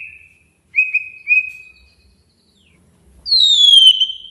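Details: White-rumped shama provoking a rival: two short level whistles, a longer one, silence, then a loud high whistle that slides gently downward and holds.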